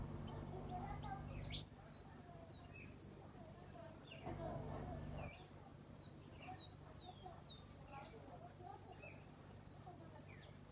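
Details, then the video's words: ['Uruguayan hooded siskin in its repique, golpe and pito song. Fast volleys of loud, sharp, falling notes repeat several times a second, broken by swooping slurred whistles and sparse high ticks.'] "Jilguero uruguayo repique golpe pito"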